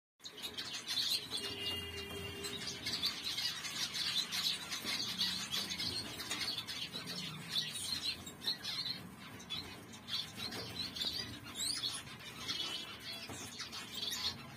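Zebra finches chatter in a dense flock, with many overlapping high, nasal beeps and quick chirps running throughout.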